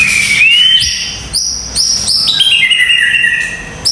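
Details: White-rumped shama with a 25 cm tail delivering rough 'tembakan kasar' song phrases: a clear rising whistled glide, then rapid harsh bursts and sliding whistles tumbling several times a second, loud and close.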